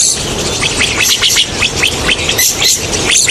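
Rosy starlings chattering in a dense, loud flock: rapid squeaky notes and short rasping whistles tumbling over one another without pause, against a hissy background.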